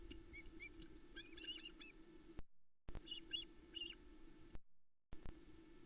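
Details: Wild Ospreys at a Loch Arkaig nest in Arkaig Community Forest, Scotland, 7 July 2020, about 20:40. A hungry family mobs the male as he brings a smallish whole trout, the third fish of the day. Nest camera. Bursts of sharp, high whistled chirps over a steady low hum.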